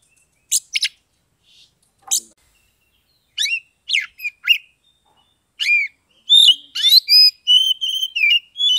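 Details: Caged Oriental magpie-robin from Kebumen, Central Java, singing in the open 'ngeplong' style used to prompt mute or lazy birds to sing; sharp descending whistles in separate bursts, building to a dense run of bright, varied whistled notes.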